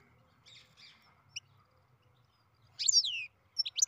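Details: Captive-bred European goldfinch giving its beginning song: faint scratchy chirps, then a loud, high, sweeping twittered phrase of falling notes, followed by a few sharp high notes over a quiet background.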